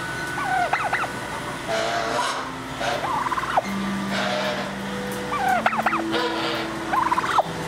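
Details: Turkey kept at a zoo, recorded 7 October 2021: several rapid warbling gobbles, each a quavering burst about a second long, coming every one to three seconds, with a steady low hum beneath.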